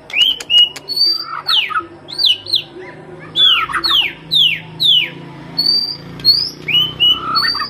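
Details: Shama lure song: repeated loud sweeping downslurred notes about every half second between high rising whistles, with a faint low rumble underneath.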